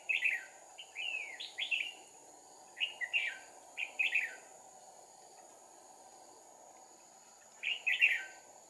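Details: Red-whiskered bulbuls during trapping with two decoy birds, 2 April 2019, decoy singing fighting song: short bright warbled phrases of rising and falling whistles, several in quick bursts, then pauses, over a steady high insect hum and low background noise.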